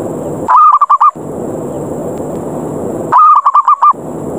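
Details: Zebra dove lure call of the ngerot ngayer style, challenging other doves to fight so they come down; two quick bursts of clipped, rapidly repeated cooing notes, separated by about two seconds of even hiss.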